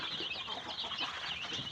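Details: Young Tiger chicken chicks kept at a farm in Sirajganj Sadar, Bangladesh. Constant overlapping high-pitched peeps, some slightly rising, form a busy chirping chorus over faint low shuffling.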